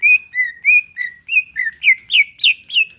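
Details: Greater green leafbird kept in a cage, singing a relaxed song meant to set off another bird: ten clear whistled notes at an even pace, the later ones sharper with rising starts.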